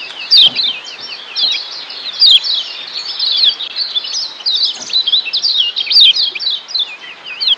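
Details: Training song of the Lombok kecial kuning (Lemon-bellied white-eye), meant to shift a bird's ngeriwik chatter into ngeplong singing; busy high-pitched warbling of slurred, looping notes with brief louder bursts, running without pause.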